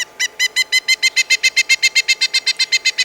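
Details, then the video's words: Pileated Woodpecker, the largest woodpecker in the United States, in Prince William Forest Park, where at least one mated pair lives, gives a loud, ringing series of about eighteen even notes, roughly six per second, with a wild, monkey-in-the-jungle quality. "that sound has always reminded me of a monkey in the jungle but that's our pileated woodpecker"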